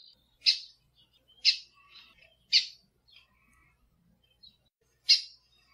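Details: Lined seedeater calls from a recording of male song and female calls used to train caged birds: sharp, high, scratchy chip notes repeated about once a second, with faint softer notes between them.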